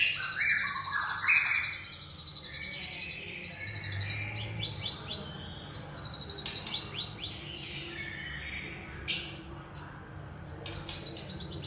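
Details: Young forest-dwelling white-rumped shama: a long varied run of short whistles, rapid trills and sudden sharp notes, with pauses between phrases and quiet background hiss.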